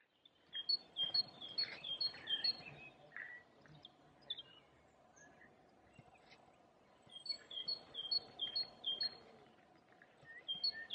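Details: A great tit sings in April at a cemetery by Perlacher Forst, Munich: quick, ringing high two-note phrases repeated in two bursts with a pause between, over a steady low hum of distant noise.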